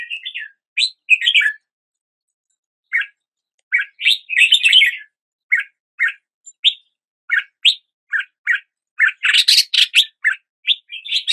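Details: Red-whiskered bulbul singing at the start of the day: short bright chirped and warbled notes around the upper-middle range, some slurred rising, in loose bursts with pauses, a busier jumbled phrase near the end.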